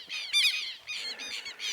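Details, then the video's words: Southern lapwing (quero-quero) in a Pantanal pasture in Brazil near sunset, yelping while diving at a person walking near its nest. Harsh, squawky yelps come in four or five quick bursts, with one sharper, louder note near the start. "So I don't know what kind of birds these are, but you can hear them yelping. And when I walk out here across the pasture,"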